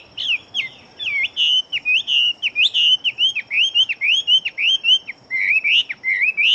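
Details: Chinese hwamei of fighting type, praised as an extremely fast singer with a strong build. It pours out an unbroken stream of loud, rich whistled notes, each sharply up-and-down slurred, about three per second, with a brief pause midway.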